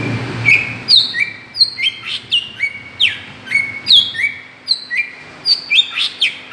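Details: Greater green leafbird calling as a lure to provoke other birds: steady series of clear whistled notes, each dropping from high to lower pitch in a stepped slur, repeated roughly twice a second throughout.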